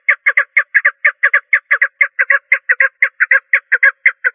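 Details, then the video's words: A female (hen) partridge gives a steady run of short, harsh, clucking notes, often in quick pairs, about two per second, with no other sounds. "Best Female Partridge Voice"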